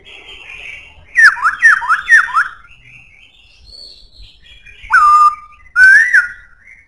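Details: Black-throated laughingthrush singing a strong, fine song: a quick run of four downward-slurred, ringing whistles, a pause, then a long level whistle and a rising-and-falling whistled note.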